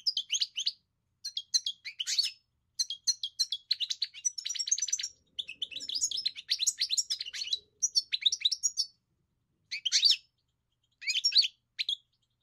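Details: Singing European goldfinch pours out lively twittering phrases of rapid high chirps, trills and buzzy notes, grouped in bursts of one to two seconds separated by short silences.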